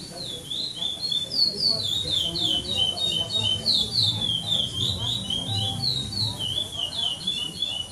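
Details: Brown-plumaged chestnut-bellied seed finch singing in the Praia Clássico song style at the 7th stage of a Maranhão state song tournament, São Domingos do Maranhão, Brazil, 2014: loud, rapid, repeated whistled phrases of sliding notes, with low crowd murmur beneath.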